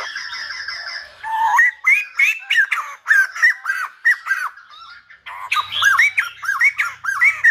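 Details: Silver-headed babbler song likened to a Lumba dancer: after a steady nasal tone, a rhythmic string of looping, squawky arched notes, about one and a half per second, with a brief pause before a second burst.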